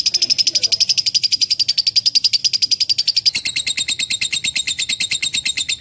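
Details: Lovebird singing a long, clear song. A fast, even run of high, whistle-edged buzzy notes jumps partway through into a sharper, harsher chatter at the same rapid pace.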